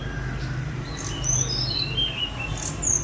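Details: Sunda robin, locally tledekan gunung, a free-flying spotted bird recorded by phone for mastering; thin high whistled notes, some sliding downward, fairly soft against a low background hum.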